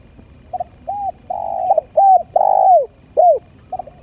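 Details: Spotted dove lure call: a loud run of short arched, mid-pitched coos with a longer drawn-out note that slides downward, uneven spacing, quiet background.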